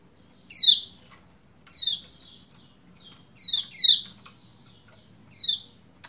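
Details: Female Lombok white-eye calling to stir a male to sing, five bright, downward-sweeping 'ciak' notes in irregular spacing, two of them close together, with soft low hum beneath.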